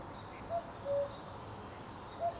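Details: Common cuckoo at Potteric Carr Nature Reserve, 2 June, calling a hollow cu-ckoo: a brief higher note, then a longer lower one, and a third note beginning the next call. Soft distant high bird calls and hiss sit behind.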